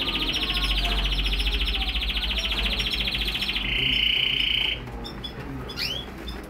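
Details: Canary in a home breeding aviary, recorded March 2008: a rapid high rattling trill held for several seconds, switching to a pure sustained whistle, then a few upward slurred notes, with a constant low hum underneath.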